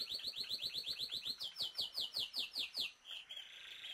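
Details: A pair of violaceous euphonias, known locally as guriatã-de-bananeira, searching for food in Pernambuco, Brazil. Rapid run of bright, high chirps repeated almost three times a second, rising slightly in pitch midway, ending in a softer, buzzy rasp.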